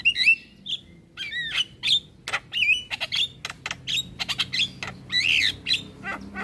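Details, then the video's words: A Javan myna in full song delivers a fast, varied run of harsh squawks, chattering notes and bright slurred whistles, with barely a pause between phrases. "Jalak Kebo Gacor"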